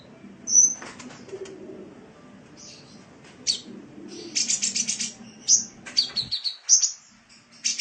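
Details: Sunbird song meant for training cage birds: a high whistled note, then buzzy rattling bursts and rapid chips, closing with several sharp slurred whistles; low room hum throughout.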